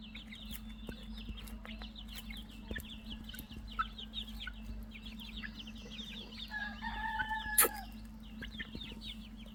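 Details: Chicks peeping steadily. Rapid high thin chirps pour out in overlapping runs from several birds over a constant low electrical hum. A few louder, sharper peeps stand out near the end.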